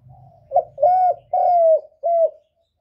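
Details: Decoy spotted dove cooing in a contest against a wild bird: one short note, then three longer, steady, hollow coos at the same low pitch, with a faint low rumble before the calls.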